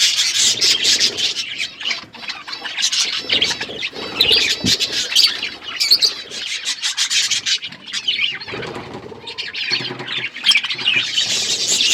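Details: Several budgerigars chirping as they eat, continuous high chattering and warbles mixed with rubbing, scraping sounds of feeding or moving about.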